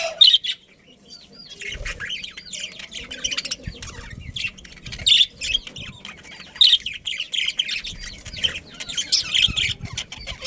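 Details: A colony of breeding budgerigars, an Australian parrot family, keeps up continuous high warbling chatter made of many short, curving chirps that rise and fall, with a few louder sharp notes standing out.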